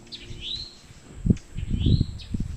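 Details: Rising, slurred whistles from a towhee's mating call, two notes about one and a half seconds apart, partly covered by heavy low rumbling and thumping.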